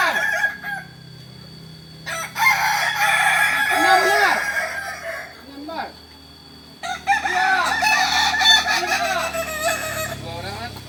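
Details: Kokok Balenggek roosters at joint training in Ampang Kualo, Solok city, West Sumatra, Indonesia; two long bouts of crowing, each a rush of arched stepped notes, are separated by a lull with fainter distant calls.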